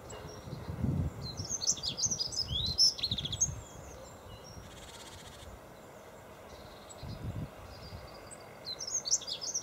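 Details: Dunnock singing at Golden Hill Country Park, Freshwater, on 21 February 2012: a quick, high-pitched warbling jingle of squeaky notes lasting about two and a half seconds, then a fresh phrase beginning near the end, over low rumbling wind noise.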